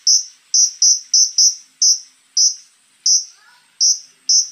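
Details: Konin rattling off piercing high notes, an uneven string of sharp bursts, partly bunched in quick pairs, with a faint soft twitter from a second bird midway.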